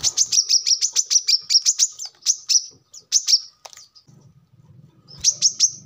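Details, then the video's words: Brown-throated sunbird, called kolibri kelapa, manggar or wiceh in Indonesia, singing vigorously; recording meant as a lure or training model for cage birds. Rapid series of sharp, very high chips, then a pause with a low hum, then another burst. "kolibri kelapa | manggar | wiceh | tidak disangka burung receh segacor ini untuk pancingan |masteran"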